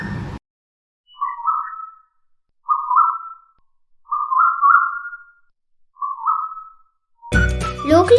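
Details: An Asian Koel in Sri Lanka gives five loud, clear whistled notes, each rising in pitch, about every second and a half, probably its well-known breeding-season call, with brief speech or noise at the start and end.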